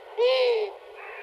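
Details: Long-eared owl, a very nocturnal bird surveyed by listening at night; a single soft, low hoot lasting about half a second, slightly rising then falling, heard under applause-like noise and music.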